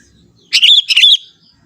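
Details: Sooty-headed bulbul, a young forest bird, gives its natural lively song without inserts: a pair of rich, liquid, gurgling phrases close together, the second ending in a slight downward slur, with little else heard.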